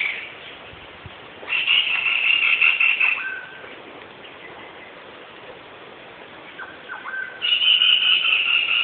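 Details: Black-rumped flameback giving two rapid rattling trills, each about one and a half to two seconds long and roughly five seconds apart, over a quiet hissy background.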